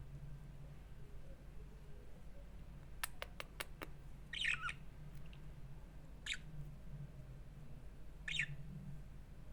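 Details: A Budgerigar (Melopsittacus undulatus) gives a run of sharp clicks, then short, harsh squawks spaced a couple of seconds apart.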